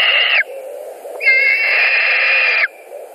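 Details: White-tailed eagles screaming at their nest in Latvia around midday, 2 August 2020, during a fish delivery and squabbles. A brief scream is followed by a loud, rich, sustained one lasting over a second.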